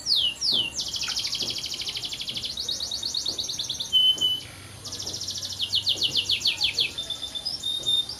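A canary sings a long, fast song of rapid trills and rolling chirps, high and bright, with a brief pause near the middle before the tours resume.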